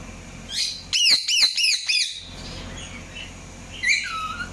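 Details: Short burst of five or six high, arched chirps from an Indian ringneck parakeet, followed by softer rasping notes and a descending squeaky call.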